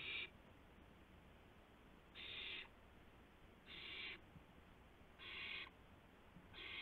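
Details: Owl on a live nest camera, 2 April 2016 at 2:51 AM, a gopher being carried to another owl; raspy hissing screeches about half a second long, repeated every one and a half seconds.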